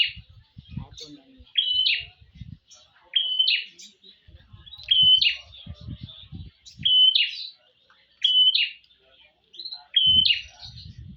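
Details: Female prinia calling for a male: repeated high, crisp double and triple chirps at steady intervals, with soft low knocks and faint human sounds in the background.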